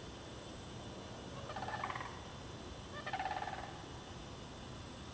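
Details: Sandhill cranes in the Derby Reach Park bog in March 2009, a site with mating cranes. Two softer, more distant rolling calls follow each other roughly a second and a half apart against constant background noise.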